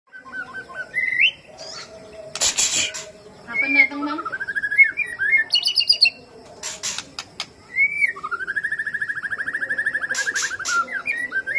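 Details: White-rumped shama song used as a lure: varied whistled phrases, rising slurs and a long trilled note around the middle, mixed with sharp clicks and chirps from other birds.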